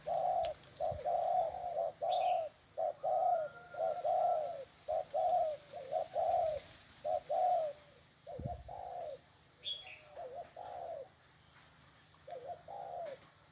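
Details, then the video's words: Spotted dove cooing repeatedly over about thirteen seconds, mellow low phrases of clipped notes followed by longer drawn coos, with short pauses between phrases. There are a few distant high chirps and one soft knock. "Tiếng Chim Cu . Cu Gáy Xích chân Gù thật máu"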